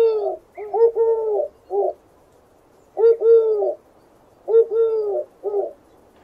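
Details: Dove cooing: three low, soft phrases, each a short opening coo, a long drawn-out double coo, then a brief closing note, repeated about every one and a half seconds over a quiet background hiss.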